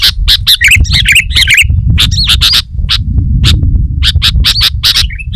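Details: Sooty-headed bulbul singing loud and dense, a recording used to lure wild bulbuls: short fluttering whistled phrases alternate with harsh broadband chattering bursts in quick succession over a low rumbling background.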